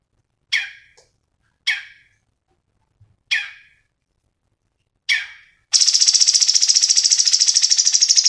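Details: Cucak cungkok, black-headed bulbul, in a training recording: four short, harsh chirps that drop in pitch arrive about a second apart, then a loud, high, buzzy trill of rapid pulses runs to the end.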